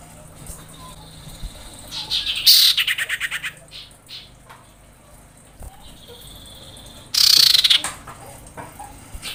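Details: Female common iora in breeding condition screaming to call males, used as a lure: two harsh, buzzy bursts of rapid pulses, each about a second long and several seconds apart, with faint chirps between.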